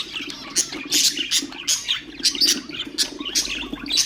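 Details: Budgerigars singing to stimulate other birds: rapid scratchy chirps and squawks in quick succession, several per second, over a steady low hum in the background.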